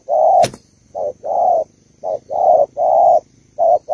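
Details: Female spotted dove of Malaysian stock coaxing the male: husky, even-pitched coos, some short and some long, repeated at uneven intervals. A sharp click is heard near the start, with a faint high tone throughout.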